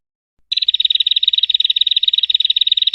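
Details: Prinia song from a recording made for tutoring caged songbirds: after half a second of silence, a fast, even series of sharp high chipping notes, about three to four per second, runs steadily without pause to the end.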